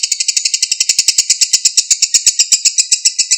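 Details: Lovebird in long ngekek chattering, recorded to prompt a mute bird to answer. Quick raspy notes repeat about seven times a second in an even, continuous run.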